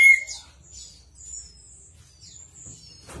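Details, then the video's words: A Chestnut-capped thrush in full song, recorded as a tutor for training cage birds. One loud whistled note opens, followed by faint, very high, thin sliding whistles in a loose series. "Anis Kembang Gacor | 栗頂地鶇 | Chestnut-capped Thrush"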